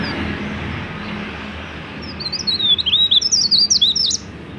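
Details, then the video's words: Mountain leaf warbler in full song, used to prompt other mountain leaf warblers into singing; after a quiet opening, one rapid run of high, sharp, twittering notes lasting nearly two seconds, with faint low hum beneath. "BURUNG CIKRAK DAUN GACOR COCOK UNTUK MEMANCING BURUNG CIKRAK BAHAN AGAR CEPAT BUNYI"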